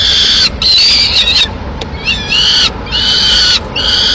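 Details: Peregrine falcon nest, Madrid, 21 May 2016: female bringing pigeon for two chicks. Four long, steady, harsh wailing screams, each about a second, one with a dipping slurred start.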